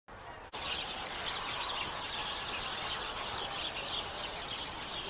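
House sparrows chirping as a dense, overlapping chorus of short bright chirps, many birds calling at once.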